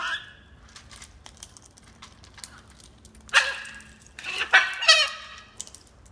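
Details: Wild macaws squawking while being fed: a burst of loud, grating, rough calls in quick succession, some overlapping, with softer scattered clicks and rustles between them.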